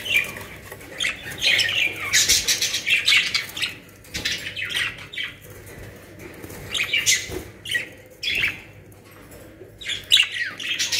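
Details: A cage of budgerigars in Pakistan calls in uneven clusters of harsh squawks and high chirps, bursts separated by quieter moments, with faint background hum.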